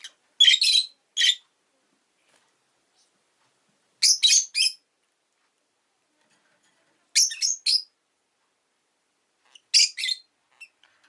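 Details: Shrill bursts of chirping from pet rosy-faced lovebirds, two new birds in a home, come in tight clusters of two or three notes, with each cluster separated by about three seconds of quiet.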